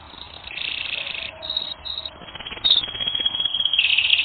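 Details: Canary training recording: buzzy, rattling high rolls in short bursts with brief gaps, then a harsher, grating trill that swells toward the end.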